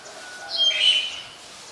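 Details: Black-collared Starling recorded in Ubon Ratchathani, Thailand, on 25 December 2019: one loud, harsh, rasping call lasting under a second, with a brief steady tonal hum in the background.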